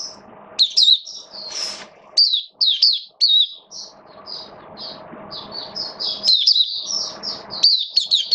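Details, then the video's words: High-pitched twittering song from a caged Oriental white-eye on a rainy day, 8 October 2022: chattering, jumbled warbled notes in irregular bursts, some dense runs, with a soft continuous hum underneath. "Mata Puteh Buka Sing"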